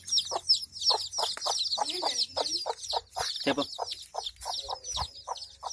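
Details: Hen and chicks together: loud continuous high-pitched peeping from many chicks, with short clucking pulses repeated about three times a second and a brief low rising call near the middle.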